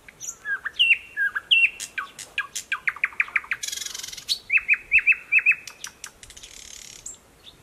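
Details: In dense thickets by a stream in Mogilev district, Belarus, on 11 May 2021, a recently arrived thrush nightingale sings loud, varied phrases: sharp whistles, rapid dry clicks, a harsh rattle, then repeated high chirps, with frogs from a nearby pond.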